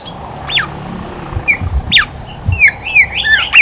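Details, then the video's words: Horsfield's babbler in active song, used to stimulate reluctant babblers: a series of clear whistled notes, some falling, others rising then falling, building toward faster, overlapping phrases at the end, over a low hum. "BIMOLI/KANCILAN EMAS GACOR COCOK BUAT PANCINGAN BIMOLI MALAS BUNYI"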